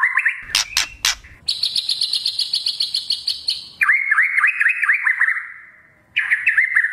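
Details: White-rumped shama, speckled juvenile (murai batu trotol), in a lure recording to draw out loud song. Brief whistle and crackles, then a high rapid stuttering series, then rhythmic hooked whistles repeated several times a second.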